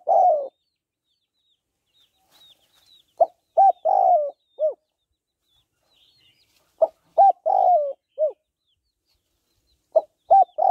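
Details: Female spotted dove calling to stimulate males: short clipped notes, then a longer falling coo and a final low note, in spaced phrases roughly every three seconds, with faint chirps of other birds.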